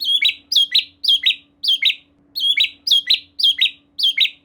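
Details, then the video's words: White-rumped shama, locally murai batu, giving lure song to draw song from another shama: a sharp high whistled double note repeated steadily, roughly twice a second. "Silahkan Coba Video Pancingan Murai Batu Gacor Ini, Murai Bahan Pasti Bunyi || Voice of Murai Batu"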